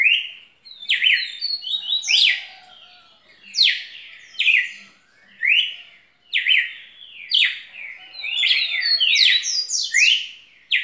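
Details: Red-cowled cardinal singing energetically: repeated whistled phrases of falling and rising slurs, grouped in bursts with short pauses, faint low taps beneath.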